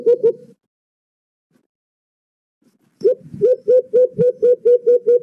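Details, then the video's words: White-eared brown dove, known locally as alimokon, used as a lure sound for trapping: a short pair of hooting notes, a pause, then a steady series of low, rounded hoots about four per second. "The best White eared Brown Dove Chirping | Huni nang Alimokon"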